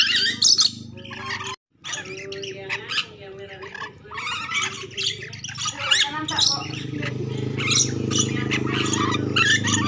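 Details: Sulawesi nuri dora lory recording meant to lure birds for trapping, full of loud grating screeches and scratchy chatter, broken by a brief silent gap, over a constant low humming background.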